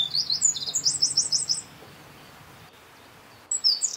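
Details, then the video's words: Eurasian wren at N49°52' E18°11' ending a song with shrill rapid notes and a quick trill, followed by nearly two seconds of quiet, then a fresh high burst of song at the end; faint low hum throughout. "Troglodytes troglodytes - Střízlík obecný"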